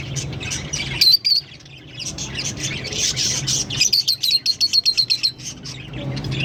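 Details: Green Fischer's lovebird pair chirping and singing: a short burst of sharp high notes, a pause of muffled chatter, then a rapid run of about a dozen shrill, evenly spaced chirps, with a low background hum.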